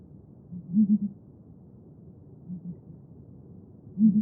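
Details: Southern ground hornbill, the Xhosa rain bird (Bromvoël), calling in deep hollow booms: a loud triple boom near the start, a softer, lower pair midway, then another loud pair at the end.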